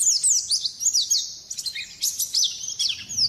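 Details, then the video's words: White-eye (pleci) song from a bird billed as a nonstop-singing champion: rapid, high-pitched twittering of thin descending whistles and trills, nearly continuous for three seconds with brief dips, faint low rumble underneath. "suara burung pleci gacor juara"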